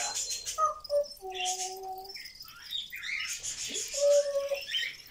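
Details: Pet grey parrot, talking non-stop through the day, mixes short whistled notes, a long two-tone held whistle and raspy speech-like sounds before a final bright whistle.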